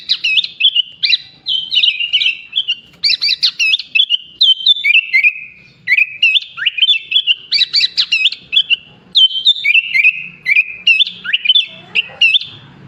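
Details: Sooty-headed bulbul singing at length, mixing in songs copied from bar-winged prinia, leafbird and pied myna; bursts of bright chirps and slurred whistles in clusters with short pauses, steady for nearly thirteen seconds, a faint rustle near the end.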